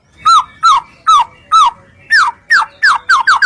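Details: White-rumped shama singing to provoke rival shamas: a steady series of loud downslurred whistled notes, about two per second, speeding up toward the end, each note dropping in pitch with bright overtones.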